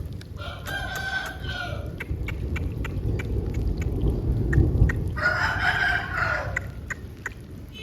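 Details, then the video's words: Aseel rooster after rain crowing twice, roughly four seconds apart, each crow harmonic and over a second long. A heavy low rumble swells between the crows, with sharp ticks throughout. "Aseel Bird Sound Effect"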